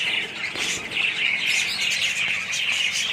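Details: Colony of budgerigars giving a constant overlapping chatter of bright chirps and short warbled notes, busy and unbroken from start to end.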